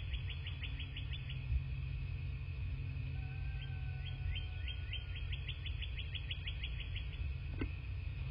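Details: Bald eagles at a nest in a quaint landscape in southwest Florida, morning of 27 February 2024, nest camera: thin high piping notes in rapid runs of about ten, repeated, over steady low wind rumble.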